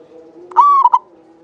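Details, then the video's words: One phrase from a local Javanese zebra dove in full song, used as a lure bird, with a long clear voice: a drawn-out, steady, mellow coo ending in two quick short notes. "Perkutut lokal jawa gacor buat pancingan suara panjang bening"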